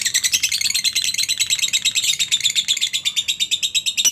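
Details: Lovebird in ngekek song for training other birds: dense, continuous, shrill chirping, about three notes per second, steady throughout with a click at the very end.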